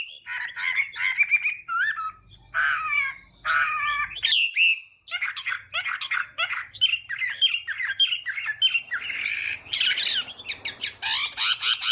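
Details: Chinese hwamei singing in fighting style during morning voice training to provoke singing: varied phrases mixing harsh chattery notes with clear whistles, a brief pause near five seconds, then dense, loud song.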